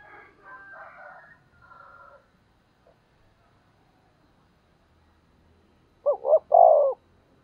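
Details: Caged decoy spotted dove in 'thúc gù' calling style to stir wild doves to coo: faint scratchy sounds at first, then after a pause a single loud phrase of two short hoots and a drawn-out coo.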